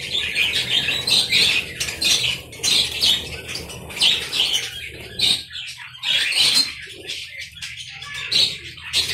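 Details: Many budgerigars together in an aviary colony: loud bursts of shrill, scratchy chatter about every second, with short quieter gaps between bursts.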